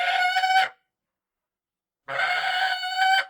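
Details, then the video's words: Falcon giving two drawn-out, grating screeches, the first under a second long, the second over a second, separated by a silent gap of more than a second. "Real falcon screeching sound"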